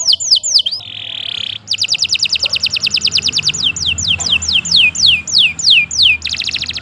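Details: Canary in full continuous song, used as training material for other birds: falling whistles, a buzzy steady note, then a long fast rattle of high notes slowing into sweeping downward whistles.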